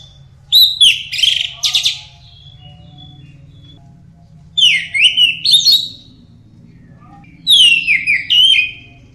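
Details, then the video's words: An orange-headed thrush in loud, full song (a tutor recording for training other songbirds) sings three rich, fast, warbled phrases of slurred whistles and trills, each over a second long, with a low hum underneath. "Anis Merah Gacor"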